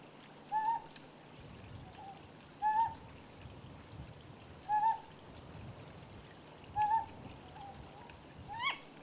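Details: Ryukyu scops owl on Yonaguni giving short, slightly rising, croaky hoots about every two seconds, with a faint higher note at the end, over a soft trickle of water; one individual is observed giving both the male and the female call types.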